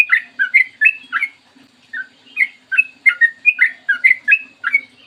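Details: Trucukan, or yellow-vented bulbul, singing clearly in the morning, played as a lure and training song: bright warbled chirps and slurred whistles in two bursts of rapid phrases separated by a brief pause.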